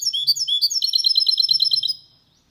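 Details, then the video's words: Goldfinch × canary hybrid (mule) singing cleanly without errors, used to stimulate males to sing and to teach young birds: high chirped notes, then a fast even trill of repeated sharp notes lasting about a second before ending. "Mixto de Jilguero Cantando Limpio 2022 para Estimular"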